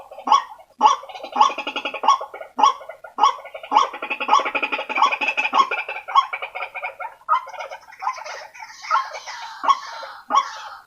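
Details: White-breasted waterhen lure call meant to gather waterhens: overlapping harsh croaks and grating notes in a thick, continuous chorus, with loud barking notes recurring roughly every half second and higher scratchy calls later.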